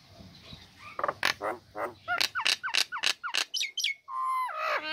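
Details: Female Nias hill myna in a cage, singing right after its cover is lifted, used to stir reluctant birds: a run of sharp, loud notes and slurred whistles over faint background noise, ending in a long descending nasal call.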